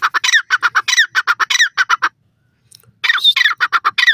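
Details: Indian Dakhni teetar, a partridge of South India, calling in a fast run of loud, harsh, squawking notes about four per second. The notes break off for roughly a second, then a fresh burst begins. The background is quiet.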